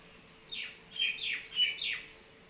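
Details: Summer common myna, a mimicking species, uttering four or five rasping, descending notes in a steady rhythm roughly every third of a second, clear and close with little background noise.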